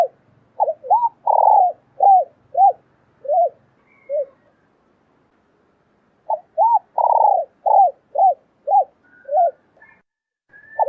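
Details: A female spotted dove calls to stimulate a male: two series of rhythmic arched coos, each built around a long, rich coo and trailing off into softer notes, with a quiet high whistle.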